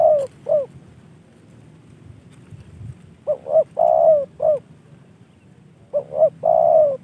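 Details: Spotted dove kept by a hobbyist, trained and received as a gift, delivers repeated coo phrases of quick double notes leading into a long drawn coo and a short ending note.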